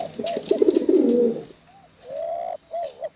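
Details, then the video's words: Contest pigeons, male and female, give a burst of deep rolling coos, followed by two clear, slightly rising tonal notes with quiet gaps between them. "Suara Bekuran Burung Merpati Lomba Hutan Dara"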